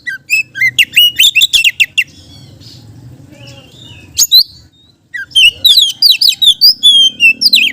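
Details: Oriental magpie-robin, a caged songbird kept as a lure for other magpie-robins, singing a rich, varied run of sharp whistles and trills, in two bursts separated by a quiet pause of about three seconds.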